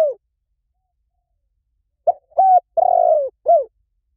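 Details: Spotted dove coo used as a lure: the tail of one phrase, a pause, then a full phrase of a short clipped note, a flat hoot, a long trembling coo sliding down, and a final falling note.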